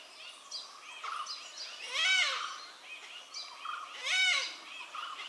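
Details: Malabar grey hornbill giving two loud, harsh, cackling bursts about two seconds apart, each a rising-and-falling laughing note, with fainter similar calls from other birds in between.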